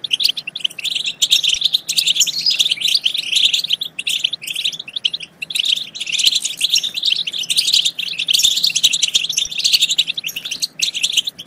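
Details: European goldfinch song for encouraging goldfinches to sing and mate: rhythmic waves of sweet twittering and quick chirps, split by short pauses, over a faint low hum.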